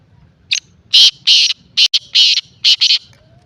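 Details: Black francolin, known locally as kala teetar or Sindhi teetar, giving a rapid series of about seven harsh, scratchy notes, some paired, over three seconds against a faint low rumble.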